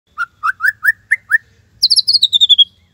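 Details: White-rumped shama singing in the tembakan Cililin style, offered as master material for teaching song: six rising whistled notes, then a rapid high chattering trill that slides slightly downward.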